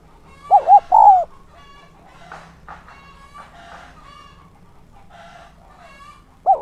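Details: Decoy spotted dove giving its luring coo: a phrase of two hoots and a long descending note, with a faint chorus of other bird chatter after it. The next phrase begins at the end.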